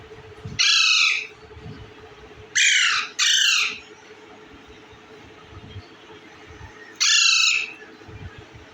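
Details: Indian ringneck parakeet eating bread calls with loud, coarse, raspy squawks: a single one, a tight pair a couple of seconds later, then another single after a long quiet gap.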